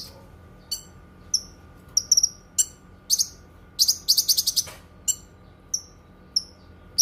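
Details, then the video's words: High, sharp Cucak kinoi song, recommended for teaching other songbirds and for therapy: scattered single downslurred whistles around a dense mid-clip run of quick rattling notes. "Suara Kicauan Burung Cucak Kinoi"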